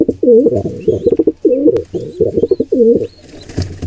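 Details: Wild pigeons at a nest where an intruder pair attacks a squab; loud, throaty rolling coos in bursts, with some high thin chirps and a sharp click.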